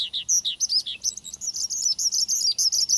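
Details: Energetic Javan bushlark song meant to coax another bird into singing: a rapid, jumbled run of short high chirps and twitters, with a few downslurred notes at the start.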